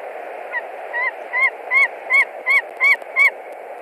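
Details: White-tailed eagle at a nest in Latvia, March 2021, screaming a lot as a stranger, probably a young eagle, lands on a branch: eight sharp, rising-falling yelping notes, accelerating and growing louder, over steady low background noise.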